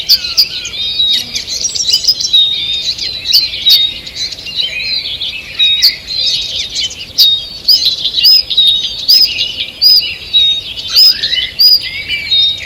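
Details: Morning forest chorus dated 2 June 2023: a bright repeated whistled phrase rises above a tangle of high twittering from other birds, with several faint lower slurred notes.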